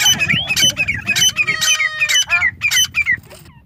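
Grey francolin giving loud, harsh, ringing notes about three a second, each sliding downward, in a fast insistent series.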